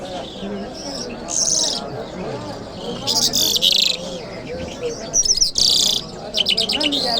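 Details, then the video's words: Friday-morning lark song from Kabul, the bird known locally as jal mashhadi: dense high trills and buzzy rattles in short outbursts, with softer looping lower notes underneath. "Jal Birds Sounds | Lark Singing | جل مشهدي | طرقه | قزالاق | صدای جل مشهدي برای مست کردن"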